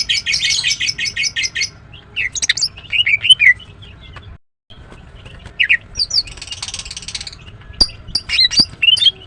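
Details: Female Greater green leafbird giving a rapid run of sharp chirps, then varied squeaky, whistled notes and short scratchy bursts, with a brief pause midway.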